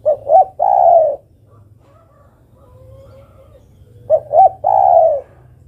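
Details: Female spotted dove calling to a male: two short rising coos followed by a long, drawn-out descending croon, the phrase given twice about four seconds apart over a low steady hum.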